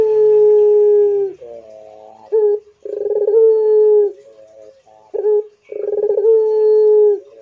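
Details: Repeated cooing from a pelung Barbary dove: long steady tones alternate with softer broken notes and short sharp notes, about three phrases in seven seconds.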